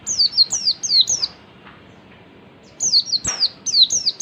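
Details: Oriental white-eye singing in the ngalas style as a lure for other birds of its kind: a run of four thin, falling whistled notes, a pause, then five more in quick succession, very high and clear.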